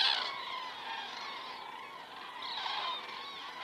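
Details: Evening flyover of common cranes recorded by a crane camera in Estonia, 19 September 2017, 19:10; overlapping trumpeting calls form a dense chorus, loudest at the start, dipping, then swelling again.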